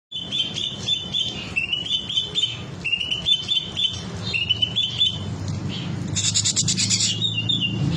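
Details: Green leafbird singing off its full repertoire of rich material: short whistled notes in quick repeated phrases, some rising and falling, then a burst of harsh, buzzy chattering near the end, over a steady low hum.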